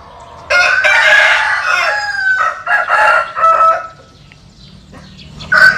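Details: A rooster crowing, from a collection of Vietnamese and American Sil chickens: one long, hoarse, harmonic crow that wavers and fades over about three seconds, then near-silence and the start of another crow.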